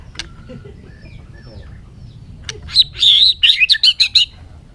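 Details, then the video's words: After a quiet start, a bird gives a short burst of high, quick chirps and trilled notes lasting about a second and a half. "suab noog quaj zoo heev"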